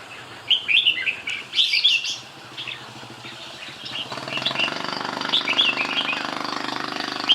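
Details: Red-whiskered bulbul gives two quick warbled phrases, then sings more faintly while a steady engine hum rises beneath.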